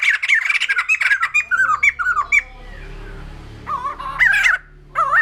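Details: Rapid run of looping, whistled notes from a white-crested laughingthrush, slowing into spaced phrases, a short hushed gap, then a few louder wavering whistles and a harsh rasping burst.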